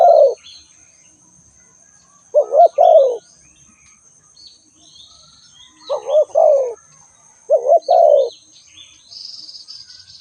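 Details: Spotted dove calling: four low, mellow cooing phrases, each a quick rising note followed by a longer falling coo. They are spaced a few seconds apart, with faint high chirps from small birds and a steady thin high tone in the background.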